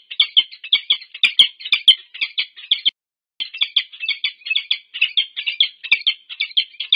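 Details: Peregrine falcons, a wild pair, meeting at a nest at UC Berkeley, USA, recorded by a nest cam on 25 August 2023. Continuous, scratchy chipped calls repeat roughly twice a second, broken by one brief silent gap.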